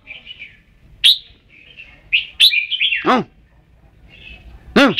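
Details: Red-whiskered bulbul with soft warbled notes and sharp chirps, then a lively run of phrases; harsh, sweeping calls cut in twice.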